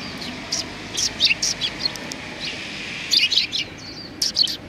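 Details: Sparrows, several, in front of a cultural hall on 7 February 2020, greeting arrivals; two quick bursts of high, sharp chirps a few seconds apart, with a faint steady outdoor hum beneath.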